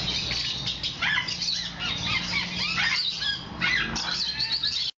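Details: Hand-tame Moluccan or medium sulphur cockatoo giving a run of harsh, scratchy screeches and short descending squawks, some bursts louder than others, over steady low background hum.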